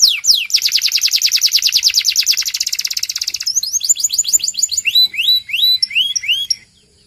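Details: Belgian canary training song: a fast, loud rattle of high whistled notes for three seconds, then spaced upswept whistles at two pitches, repeated about twice a second, before falling silent.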